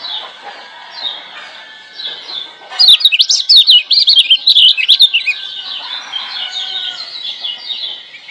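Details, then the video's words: Lemon-bellied white-eye from Lombok, wild-caught, singing as a master song: low warbling background, then a loud two-second burst of quick, high, jumpy whistles before it settles back to soft chatter. "Masteran Kecial Kuning GEBOKAN LIAR Ampuh Bikin Kecial Malas Bunyi Jadi GACOR‼️"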